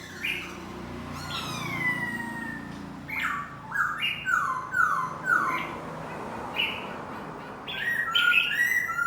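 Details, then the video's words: Decoy laughingthrush singing while dancing: a varied run of clear whistled phrases, slurred rising and falling notes with short pauses, set against a low steady background hum. "Khướu mồi hót múa"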